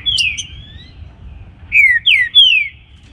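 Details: Green-winged saltator singing the song style called baruc in the morning: loud, clear whistled notes sliding downward, a pair early on, then three rich descending slurs in quick succession, with a low background rumble.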